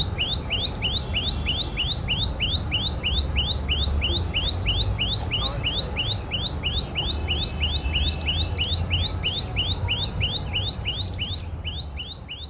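A common tailorbird repeats a sharp, high, upslurred note about three times a second without pause, over a steady low rumble of background noise.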